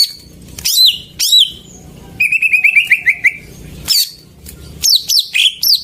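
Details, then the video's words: Greater green leafbird song as a lure for silent birds: loud sweeping whistles that swoop downward, a fast stuttering trill in the middle, then a burst of quick high sweeping notes. "Pancingan burung cucak ijo macet"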